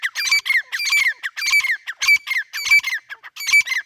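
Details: Partridge calling: loud, harsh, ringing notes with a sliding tail, given in quick bursts about every half second, with no other sounds.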